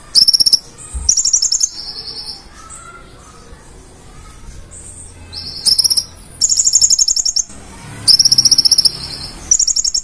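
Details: Purple-throated sunbird singing 'gacor' with 'isian' fill-in phrases: short shrill trill bursts at the start, a long quiet stretch with only soft background noise, then dense high chattering trills toward the end.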